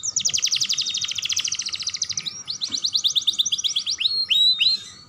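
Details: Young canary song meant to stimulate other canaries: a long, dense, rolling trill of rapid notes that gives way to a few loud rising-and-falling whistled sweeps.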